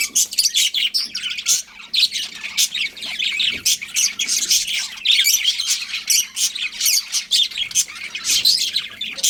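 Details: Colony budgerigars keep up lively chirping: rapid uneven streams of high scratchy notes and squeaks from several birds, nearly without pause.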